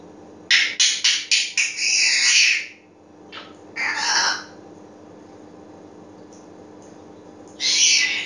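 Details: Pet grey parrot giving a quick run of five harsh, rasping squawks that merge into a longer screech, then two more grating bursts after pauses.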